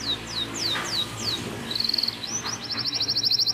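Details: Local canary tutor recording with rolling trills: four spaced, down-swept whistles, then a quick buzzy trill and a fast high roll, set against a low background hum.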